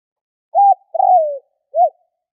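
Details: Spotted dove giving a three-part coo phrase: a short flat note, a longer burred coo falling in pitch, then a short rounded coo. Clean, mellow tone and no other sounds.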